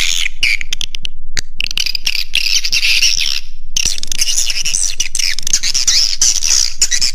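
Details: Swiftlet roosting lure call, Raja Di Laut style, played to attract birds to roost: thick mass of fast high twitters and chirps, insect-like in texture, running almost without pause, with a brief lull near the middle.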